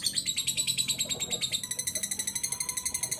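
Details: Lovebird giving its long 'ngekek' trill, used to stimulate other birds to sing: a fast, even chattering of high, harsh pulses, about six a second, running unbroken for over three seconds with only faint background noise.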